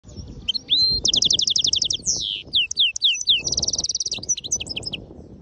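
A goldfinch mule sings a fast, bright medley: rapid trills of repeated high notes, quick downslurred whistles and a buzzy rattle, with a few brief pauses.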